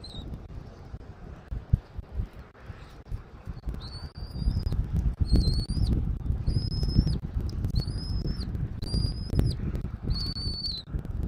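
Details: Bald eagle at a nest in Southwest Florida, 13 January 2024, early afternoon: a series of six thin, high whistled notes, each slightly rising then dropping, about one per second, over steady low wind rumble and knocks.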